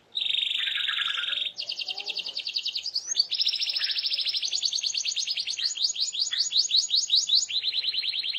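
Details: Lively canary song intended to get listening canaries to respond, with one long buzzy roll followed by a nonstop chain of fast trills and repeated sweeping notes that speed up before a final even roll.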